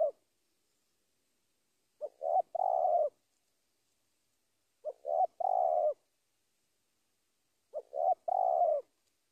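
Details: Spotted dove calling a rival: three-part cooing phrases, a short coo, a second coo and a long, slightly descending trill-coo, repeated about every three seconds in otherwise silent surroundings.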